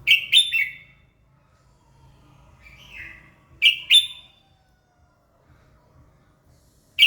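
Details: Red-whiskered bulbul singing in the morning to stimulate other birds: clear, punchy warbled phrases repeated roughly every three and a half seconds, with a softer note between, on a near-silent background.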